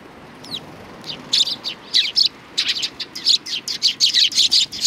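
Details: Several sparrows welcoming at a Tenmangu shrine, 3 July 2020, chattering in rapid, overlapping high chirps that grow busier and louder across the recording, with no other sounds prominent.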